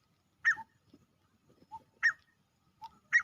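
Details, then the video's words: A male grey francolin gives loud, harsh, strident notes, each followed by a shorter lower note, repeating about once a second against a quiet background. Finding: Grey francolin. "NAR Teetar only sounds | grey francolin male sounds"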